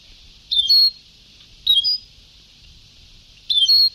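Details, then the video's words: European goldfinch in an old Sebtaoui song recording: three high, liquid twittering phrases, each under half a second, spaced about one to two seconds apart against a constant hiss. "Canto del jilguero antiguo شريط تغريد سبتاوي قدييييييم"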